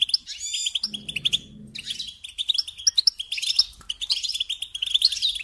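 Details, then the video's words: Goldfinch song of quick, bright twittering and tinkling notes with sharp high flourishes, paused briefly early on while a low hum is heard, then resuming steadily. "Supporting and Singing Along with Goldfinches"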